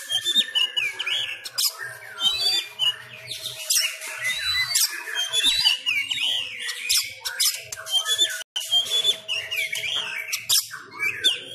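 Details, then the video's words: Captive Sumatran Oriental magpie-robin in fighting style, training at home, pours out a fast, loud medley of sharp whistles, harsh squawks and chattering phrases with no pause, over a faint steady hum. "Gaya tarung Kacer kacer sumatra"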